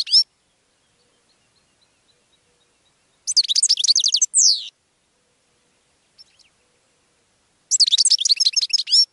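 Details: Goldfinch singing to attract other birds: separated phrases of fast, high, chattering twitters, one ending in a descending drawn note, with long silent gaps between.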